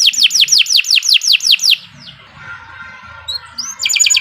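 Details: Domestic canary in full, long song, recorded as a master for training other birds: a run of loud, rapidly repeated descending whistled notes, then a brief quieter pause and a buzzy trilled phrase at the end.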